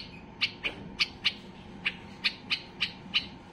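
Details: Excited white-eared bulbul song meant to set other bulbuls singing, here as spaced, crisp high notes coming irregularly every third of a second or so over a quiet low hum.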